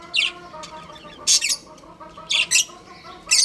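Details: A breeding pair of home-kept budgies chatters in quick bursts of shrill, scratchy chirps, often in doubled pairs, about once a second over a low steady hum.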